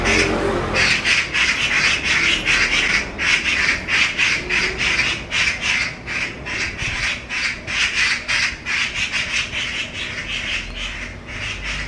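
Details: Two magpies attacking and chasing a stray cat give harsh, rattling chatter in rapid bursts, about three a second, scratchy and loud throughout, with no other clear sounds; recorded 5 July 2024.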